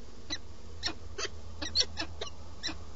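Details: Peregrine falcon pair's nest on a live webcam in Alcalá de Henares, Madrid, Spain, 8 March 2017, during the male's meal; seven brief rasping chips in three seconds, uneven spacing, one louder near the middle, low background hum.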